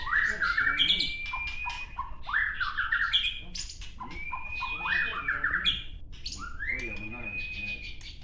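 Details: White-rumped shama caged at a training gathering in Gayo Lues, Aceh, wild-caught in 2019 and moulted once: loud rising whistles ending in long level notes, interleaved with rattling chatter, repeated about every two seconds over crowd noise.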